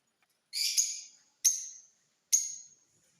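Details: Rose-ringed parakeet of a purple lutino colour mutation giving three harsh, high screeching calls about a second apart, each fading out, in an otherwise quiet setting.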